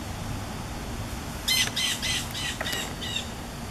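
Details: With a severe summer thunderstorm moving in, a blue jay in the trees gives a quick series of about five harsh, noisy squawks, likely warning other birds, against loud wind and low rumble.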